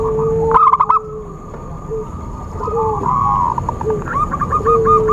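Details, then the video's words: Zebra dove calling in a recording used to lure birds for trapping. One loud, quick run of clipped coos comes early. Softer rolling coo phrases and steady whistled tones follow behind it. "Suara Khusus PIKAT burung Perkutut/Merbuk"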